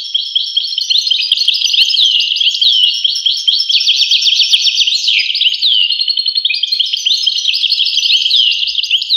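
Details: Goldfinch pouring out a continuous, bright twittering song of rapid slurred notes, with a sharp descending sweep midway and constant tinkling chatter throughout.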